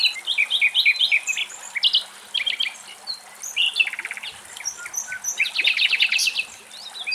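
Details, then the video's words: Nightingale singing outdoors in Greece. A rich, changing sequence of loud chirps, rapid mechanical rattles and whistled slurs flows without pause, ending with a fast buzzy trill, over faint background hiss. "Αηδόνια Κελάηδημα"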